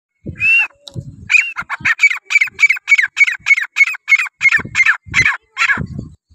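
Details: Partridge calling with a rapid, steady series of sharp, high, clipped notes, more than a dozen in a row, with low thumps and handling noises at the start and end.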